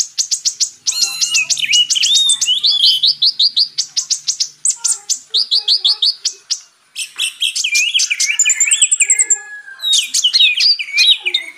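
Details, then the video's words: Song of the purple-throated sunbird, known locally as kolibri ninja, recorded as training material; long run of high, rapid chattering trills, bubbling slurred whistles and thin chips, with only a brief pause near the middle. "MATERI KACER X KONIN (Kolibri Ninja)"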